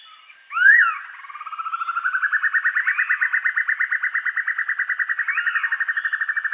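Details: Black-and-yellow broadbill, kept as a master recording for training birds: a sharp upslurred note, then a long rapid trill of pulsed notes that speeds up and rises slightly, running on for about five seconds.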